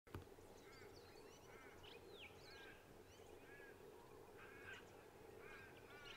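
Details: European goldfinch at Sandy Creek Conservation Park, South Australia, 22 October 2023: bright, liquid twittering with quick chirps and short sweeping notes scattered throughout, over a steady low background rumble.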